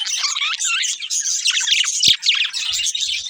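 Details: Budgerigars, a breeding pair, in busy chirping chatter: rapid twittering notes and short rising squeaks crowd together, with one sharp click near the middle and soft low thuds toward the end.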